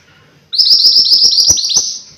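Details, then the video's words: Mountain white-eye singing energetically: a rapid series of high, bright, downward-slurred whistled notes, roughly four per second, lasting about one and a half seconds after a quiet start. "Burung MANTENAN GUNUNG Gacor Pas Untuk Masteran Atau Pancingan"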